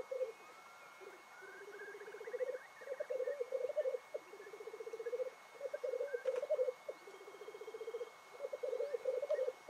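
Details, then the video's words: Black grouse displaying at a morning lek in the Cairngorms National Park: low bubbling phrases of about one to two seconds, repeated with short pauses, and a faint higher whistle early on. "Black Grouse Lekking"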